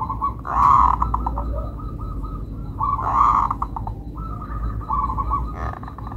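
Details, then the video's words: Melodious song of a local zebra dove: rolling, burry coo phrases, each opening loud and trailing into a string of soft staccato notes, repeated about every two and a half seconds against low background hum. "Perkutut Lokal irama merdu"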